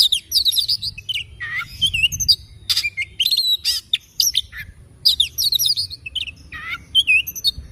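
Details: Oriental magpie-robin singing in the morning: a rich, varied run of clear whistled phrases, swooping notes and quick chirpy bursts, delivered in short bouts with brief pauses throughout, over a faint low rumble in the background.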